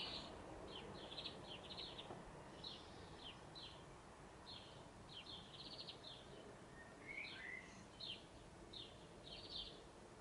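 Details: A male European greenfinch singing from the top of a blue spruce gives bursts of bright, rattling twitters about every half second, with one drawn-out wheezy note midway, over steady wind-like noise.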